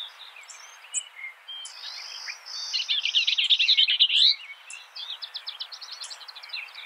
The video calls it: Beautiful skylark bird Sounds